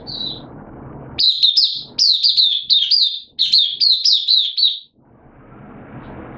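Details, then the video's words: Oriental white-eye hobby bird in open singing on 8 September 2022, slightly off form: a brief high note, then about four seconds of rapid, bright, wavering chirps, roughly four per second, ending in low background hiss. "Mata Puteh Kitaro Buka Sing"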